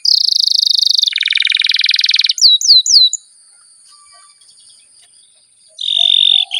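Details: Canary giving a 'ngerol' roll used to coax other canaries into song: fast trilled rolls at two pitches, three upward-hooked whistles, a pause of near silence, then a steady buzzing trill resumes.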